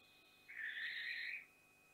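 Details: Barn owl at Théding, France, on 14 June 2021, around its first flight from the nest: one harsh, hissing screech lasting about a second, broad and rasping, over a steady low background hum.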